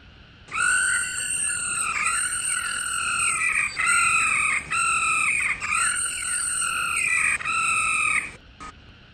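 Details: A female laughingthrush, whose song is played to stimulate male birds to sing, gives a continuous stream of bright, harsh, rich-harmonic notes with rising and falling sweeps, broken by a few short pauses.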